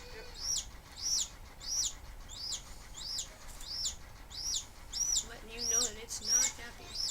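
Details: A newly hatched chick, a little hen shrink-wrapped and stuck in the egg for about two days, gives a loud distress call while being helped out: repeated high peeps, about one every three-quarters of a second.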